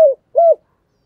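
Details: Spotted dove, 'thúc gù' style in 'giọng thổ' voice, used to stir decoy doves: just two brief mellow notes, a short falling one and a slightly longer arched one, then silence.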